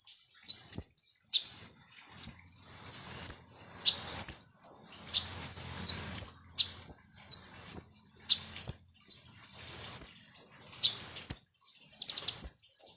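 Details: Konin or kolibri ninja, a sunbird, singing in a recording meant to provoke other birds into agitation: a fast, continuous series of piercing high chips and brief slurred whistles, roughly three notes a second, with a faint low hum behind.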